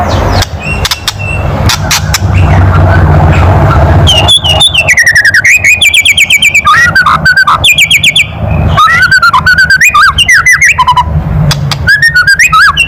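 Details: White-rumped shama's provoking kretekan call: a few faint sharp clicks over a low hum, then dense bursts of fast clicking notes and squeaky slurred whistles, broken by short pauses.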